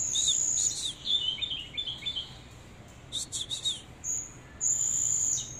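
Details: Oriental magpie-robin displaying, delivering a high thin sustained whistle, then a cluster of quick chirped notes and a burst of rapid twittering before further drawn-out whistles.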